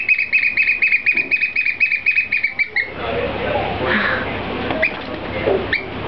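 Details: Black oystercatchers, an adult and a four-month-old juvenile, kept at the Seattle Aquarium; a rapid run of shrill piping notes, about four per second, lasting some three seconds before giving way to indoor room noise and scattered faint sounds.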